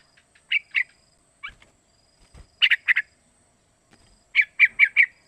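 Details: Young sooty-headed bulbul, about three months old, giving calls used to prompt other birds to sing; short bright chirps in pairs and a run of four, separated by silent gaps, with a faint low thump.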